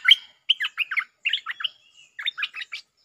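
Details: Bulbul song used as a lure sound, a long-playing song style with doubled phrases; quick, bubbling whistled notes in three bursts of four to five notes each, with a short buzzy trill between bursts, against a quiet background.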